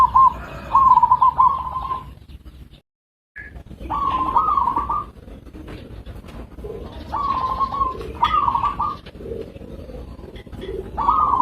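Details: Local zebra dove (perkutut) giving rolling, trilled coos. The phrases are repeated at a steady mid pitch with short pauses between them, and there is a brief silent gap partway through.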